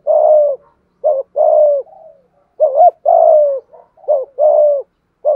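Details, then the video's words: Thúc gù coo sequence by a Malaysian spotted dove. Long hollow coos alternate with short upswept notes in a brisk, slightly uneven rhythm, with soft trailing notes between phrases. "Tiếng chim cu gáy thúc gù, cu gáy malaisia gù thúc bài bản, chim cu gáy thúc gù bài bản"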